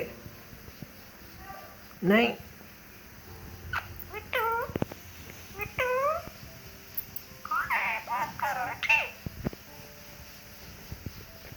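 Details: Ringneck parakeet talking: a few short, high, speech-like phrases with sharp pitch bends and rich harmonics, scattered across about twelve seconds with quiet gaps between them over a faint steady room hum.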